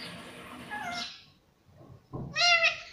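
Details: A pet talking rose-ringed parakeet, taught to say "mummy" and "papa", gives two short, scratchy, word-like utterances, the second louder and more nasal, separated by a quiet pause.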